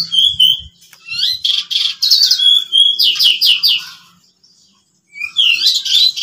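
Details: Three pied bushchats singing at home in the ngeplon style, contest-like: high sharp whistled notes and fast buzzy trills, with a short gap before a renewed burst of chattering phrases.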